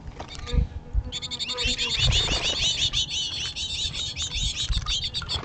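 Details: Goldfinches in a commotion: a dense run of bright, high twittering and tinkling notes pours out continuously after the first second, over low thumps and handling noise.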